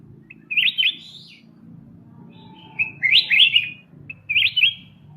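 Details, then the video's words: Golden white-eyed bulbul, kept as a songbird, in a master recording used to train other songbirds: three short clear whistled phrases, each a quick rising-and-falling flourish, spaced a couple of seconds apart over a faint low hum. "suara masteran Kutilang emas mata putih"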